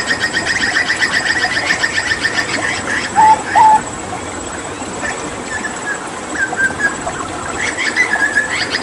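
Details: Hooded butcherbird tutoring song from Papua. A buzzy, rapidly pulsed trill is joined by two loud low whistles, then softer slurred high whistles toward the end.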